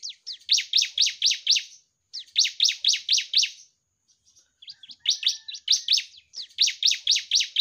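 A Bar-winged Prinia sings bursts of six to eight sharp, high, rhythmic chirps, each burst lasting about one and a half seconds, with brief pauses between.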